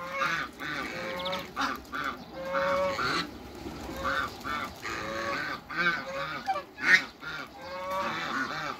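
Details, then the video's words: Hybrid Cayuga duck and a female Muscovy duck meeting after creating a new hybrid; nasal honking calls with stacked harmonics come in bursts, several birds overlapping, with faint background noise. "MEETING IN THE AIR HYBRID CAYUGA & FEMALE MUSCOVY DUCKS"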